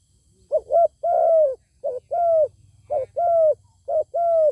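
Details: Zebra dove singing on meeting a wild bird with a good voice that will not come down to fight; loud cooing phrases, each a quick double note followed by a longer arched coo, repeated about every second and a half, with quiet low hum behind.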